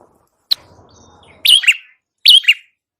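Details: A prinia, red-headed form, sings for luring birds: two quick high double-noted chirps with a falling tail, preceded by a single sharp click over faint low background hum.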